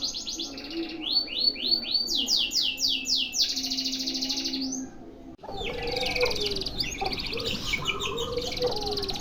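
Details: Canary singing a sustained one-breath phrase of fast trills and falling swept notes, then after a short gap another dense trilled passage with lower notes beneath.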